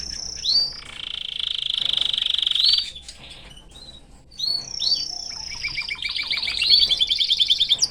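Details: Male canary singing beside its family: long pure whistled notes, a sustained buzzy trill held for about two seconds, a short pause, then sweeping upslurred notes and a fast rattling trill.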